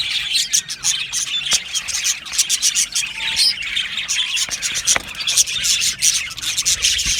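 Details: Aviary colony of Australian budgies giving bright repeated chirps and tweets over constant warbling chatter, sharp clicks scattered through the flock's noise.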